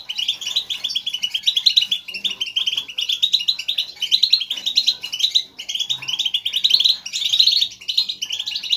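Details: Group chatter of European goldfinches, a calling sound used to encourage a single caged goldfinch to sing strongly; dense overlapping twitters and buzzy trills in rolling bursts, faint hum below.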